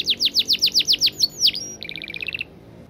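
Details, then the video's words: Canary singing in fast, tightly packed 'gacor' style for a master recording: about ten loud descending whistled notes in quick succession, a longer slur, then a soft rapid buzzy trill fading out. "Masteran Kenari Gacor Speed Rapat‼️Durasi panjang dan jernih"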